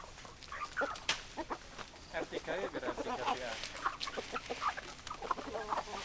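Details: Domestic chickens clucking, many birds overlapping in a dense run of short, harmonic clucks and murmured notes, with a few sharp clicks over a steady hiss of background noise.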